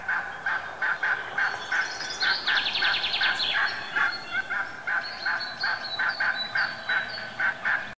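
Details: Domestic turkeys give rapid, repeated nasal gobbling calls with higher whistled notes mixed in.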